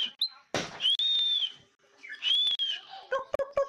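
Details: Indoor pet myna, able to talk like humans and make many sounds, gives two long, clear, slightly arched whistles between short harsh voiced bursts, ending with quick clicky, speech-like syllables.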